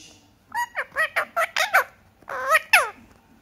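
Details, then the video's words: Pet Indian ringneck parakeet, six months old, talking indoors: a run of about seven quick, loud, harmonic voiced syllables with wavering pitch, a brief pause, then three more speech-like syllables. "talking Parrot video"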